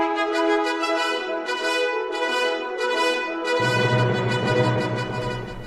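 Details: Brass instruments play sustained, harmonically rich music throughout, with no animal sound.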